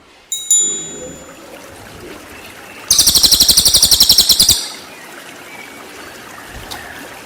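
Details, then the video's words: Cililin song used as training material for white-rumped shamas: one high, buzzy trill of rapid, evenly pulsed notes lasting about one and a half seconds, after a few thin whistled notes, over steady background hiss. "MASTERAN CILILIN FULL TEMBAKAN"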